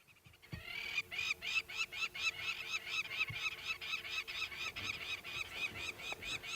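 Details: Several lapwings call noisily and constantly from up in the sky at sunrise in Sabi Sand, South Africa, August 21 2016, with shrill, strident notes repeated about twice a second, overlapping into a continuous racket.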